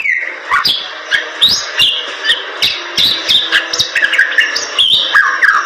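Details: Bali myna giving a rambling song of high whistles, upward sweeps and falling slurs, with sharp clicks scattered through it.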